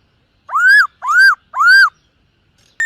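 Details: Silver-eared laughingthrush singing during morning voice training: three loud, arched, whistled notes about half a second apart, each rising then falling, followed by silence and a brief clipped note at the end.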